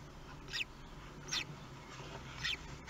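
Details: Common kestrel at the nest during the first hatching, 23 May 2020, in Théding: three thin, high squeals, each sweeping steeply downward and spaced about a second apart, over a steady low hum.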